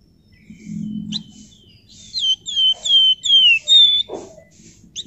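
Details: Flamboyan bird singing actively, used as a lure for other birds: a string of clear, high, down-slurred whistles, five notes in quick succession, each slurring gently lower, after a soft low thump and a short chirp.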